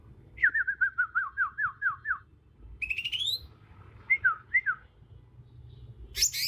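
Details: Young Bornean green magpie singing its natural wild song: a quick series of about nine downslurred whistled notes, a rising buzzy phrase, two slurred notes, then a harsh high burst.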